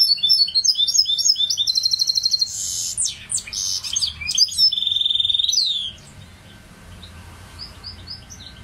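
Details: Singing goldfinch hybrid with a varied phrase: sweet twitters, a buzzy rattling trill, harsh broadband notes and a long steady high trill, then fading to a few soft distant chirps.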